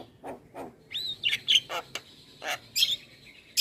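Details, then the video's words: Javan myna song for training other mynas: a varied run of harsh buzzy notes, clicks and bright whistled phrases, including a rising whistle, a clear trill and repeated squeaky bursts, with short gaps between. "Masteran Jalak kebo Gacor Manggut Manggut"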